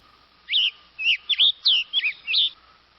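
A tanager gives a series of six short, bright whistled notes, each swooping and slurred between high pitches, spaced about every half second. A faint steady hum sits underneath.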